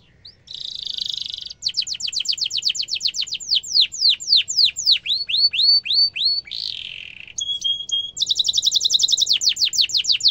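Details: Canary in strong song, sharp rolling style played to teach young canaries: buzzy bursts, fast trills of falling sweeps, rising whistles, a brief steady tone, then another rapid high trill across ten seconds.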